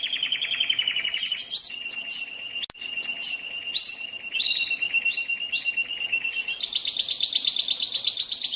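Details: Indonesian canary song used as training material for other cage birds: long runs of rapid trilled notes, changing from one trill type to another every second or so, with brief buzzy bursts and a sharp click midway.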